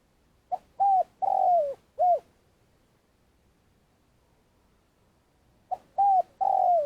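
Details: Spotted dove from Vietnam, kept as a lure for trapping, calling at length. One full four-part coo phrase with a drawn-out descending middle note is followed by a long silence, then the next phrase begins.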